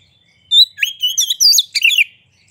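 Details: White-rumped shama song for provoking other shamas: a thin whistle then dense, rapid chattering and whistled notes with some harsh, scratchy elements, clean surroundings.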